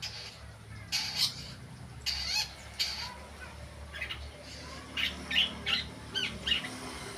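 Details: Long-tailed shrike learning sounds, giving harsh, rasping bursts one after another at uneven intervals, some broken into stuttering notes, with a soft low hum behind.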